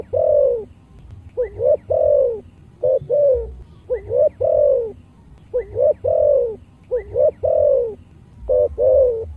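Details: Spotted dove song of the full 'chiêu-thúc-gù' type in a deep 'giọng thổ' voice. Paired short rising notes are followed by long, throaty coos, and the phrase repeats steadily about every one and a half seconds against a quiet low background.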